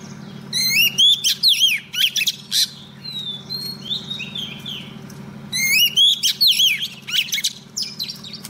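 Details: Oriental magpie-robin female used as a trapping lure, singing to call a male. Two bursts of rich whistled and chirping phrases with rising notes are separated by softer warbling. A low steady hum runs underneath.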